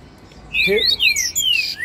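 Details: Male "gritaria" type Double-collared Seedeater (coleiro) singing a fast run of high, clear whistled slurs, some falling and some rising, packed into under two seconds.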